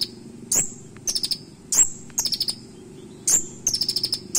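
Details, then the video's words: Piercing high chips and short buzzy trills from a Van Hasselt's sunbird giving its sharp, punchy tutoring song, phrases separated by brief pauses, with a low rumbling background. "KONIN ISIAN TAJAM DAN NEMBAK COCOK UNTUK MASTERAN"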